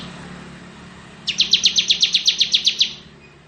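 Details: A single ngebren burst from a crystal-type bar-winged prinia: a dozen fast, bright chirps at an even pace, following quiet background hiss.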